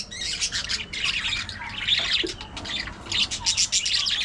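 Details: Budgie chatter: a steady stream of raspy warbling, squeaks and clicks, busy and unbroken, with brief dips between bursts.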